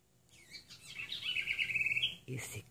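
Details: A rouxinol sings in Brazil from above a wooden nest box where food was placed, and the song is said to be the female's. It gives a rapid high trill of buzzy chirping notes, followed by a soft knock and a brief voice.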